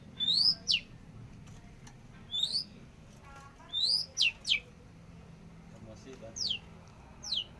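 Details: A very active long-tailed shrike giving clear, sharp whistled notes, some rising and some sliding steeply down, in pairs and clusters every couple of seconds over a quiet background with low rumble.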